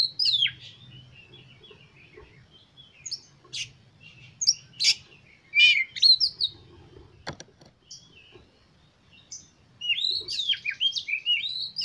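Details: Oriental magpie-robin singing to spur other birds into song: varied loud whistles, sharp upslurred and downslurred notes and scratchy chips in irregular bursts, ending in a rapid run of rising whistled phrases, with a faint low hum.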